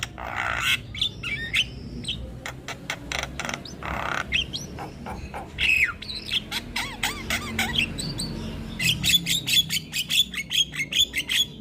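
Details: Loud singing Javan myna, prompting other birds to call, per the description: rasping squawks and downward-sliding whistles, then a steady rapid train of sharp clicks paired with high thin whistles toward the end.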